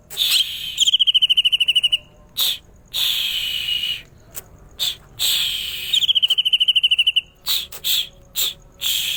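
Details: Greater green leafbird, known locally as cucak ijo, singing loud whistled phrases with short notes and buzzy bursts, then a fast trill of about a dozen rapid notes slightly descending, repeated twice.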